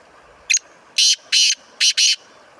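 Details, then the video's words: Black francolin (kala teetar) calling: a short sharp introductory note, then four loud, harsh, grating bursts in two quick pairs, with a quiet steady background. "Black Farncolin/kala teetar ki awaz"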